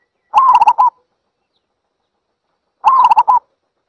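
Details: Zebra dove giving two bursts of fast, staccato, trilled cooing notes, each lasting about half a second, with a pause of roughly two seconds between them and no other sounds.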